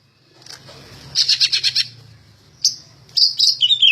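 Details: Greater green leafbird, said to be a prolific singer ready for contest hanging: a quick rattling burst of about seven high notes, a single sharp note, then falling slurred whistles.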